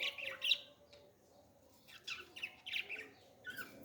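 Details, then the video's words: Parrot chick being fed, making rapid raspy, grating notes in short runs, then a pause, then more scratchy calls. "beautiful parrot 🦜 baby feeding"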